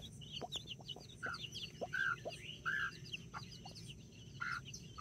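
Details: Two mother hens with nine backyard chicks, some Brahma, October 24th 2024: a string of rounded, mid-pitched hen clucks, four main ones, mixed with rapid high chick cheeps and low background rumble.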